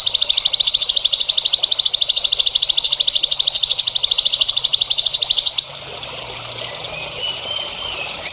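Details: Songbird singing on a recording meant to train young songbirds: a long, rapid, high-pitched trill holds for about five seconds and then stops abruptly, leaving quieter background noise with a faint whistle.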